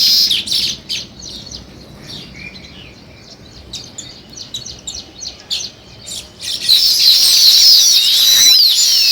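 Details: Sparrows give scattered quick high chirps and ticks for several seconds, then a dense, loud, continuous chatter of many overlapping chirps.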